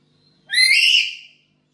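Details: Single loud, harsh, drawn-out screech from a black-capped lory kept at home and calling freely, opening with a short low note, lasting under a second and fading away, against a quiet background.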